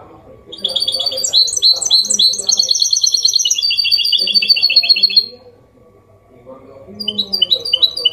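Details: Hybrid goldfinch giving Málaga-copy clean song to encourage males and train chicks: a long rush of rapid bright twittering trills lasting about five seconds, a quiet gap, then a fresh twittered phrase begins.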